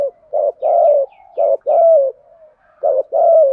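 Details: Spotted dove cooing used as a lure for trained doves: three groups of paired low coos, each a short note followed by a longer one, with soft murmurs between.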